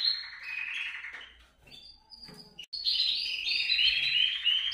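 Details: Canary song used to get canaries singing: a rattling trill fades out, a short pause with soft notes, then a loud burst of bright whistled phrases and rapid trills.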